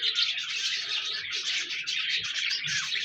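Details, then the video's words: Loud, continuous budgerigar twittering: a thick layer of fast high chirps and warbling phrases throughout the short stretch. "Budgies Birds talking sound | Birds chirping sounds"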